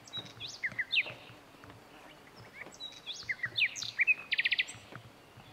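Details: A common nightingale (Luscinia m. megarhynchos) at Lake Kerkini National Park, Greece, in April 2024 sings rich, varied phrases of sweeping whistles and sharp chirps, ending in a rapid run of five loud repeated notes over faint background hiss.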